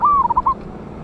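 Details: Single phrase from a loud-voiced wild local zebra dove, used as a lure recording dated 11/8/24: a drawn-out slurred coo dropping into three or four short rapid notes, with faint background hum.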